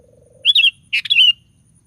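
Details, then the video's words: Sooty-headed bulbul, a lively singing bird used as a lure to provoke other bulbuls to sing, giving two quick bubbling, warbled phrases of several rising and falling notes; a low buzzy trill sounds briefly before them. "DENGAR SUARA BURUNG KUTILANG GACOR satu ini"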